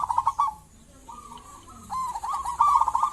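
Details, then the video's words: Local zebra dove singing actively, used as a lure to draw other zebra doves into calling: rapid stuttering cooing bursts with a rolling rhythm at the start, a quiet level coo, then another fast rolling phrase at the end. "Perkutut lokal gacor cocok buat pancingan burung perkutut"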